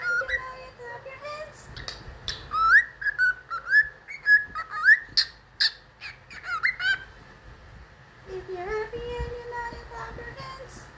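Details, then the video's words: Pet cockatiel whistling the tune of "If You're Happy and You Know It": a string of clear whistled notes, some rising sharply, at a steady lilting pace, then a lower drawn-out whistle near the end, with faint household sounds. "Apple singing If youre happy and you know | Cocktiel"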